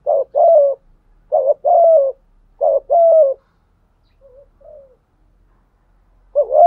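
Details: Spotted dove with a 'thổ sấm' voice, calling so wild males will reply. Three quick coo phrases in succession, then faint short coos and a pause before another phrase begins; mellow, low, with a dip-and-fall contour.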